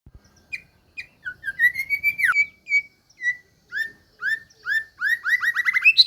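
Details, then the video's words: White-rumped shama song of the combined 'tembakan' phrase style: spaced clear whistled notes and rising slurs, one sharp high sweep, then quickening series of upslurred whistles building into a rapid burst. "KOMBINASI TEMBAKAN JOS"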